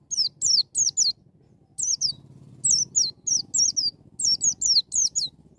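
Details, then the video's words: White-eye singing in the wild style, meant to spur a young bird into song: rapid runs of high, downward-sweeping chirps in tight groups, almost continuous, over low background rumble. "BURUNG PLECI NGALAS NEMBAK,MEMICU PLECI BAHAN CEPAT NGALAS BUKA PARUH"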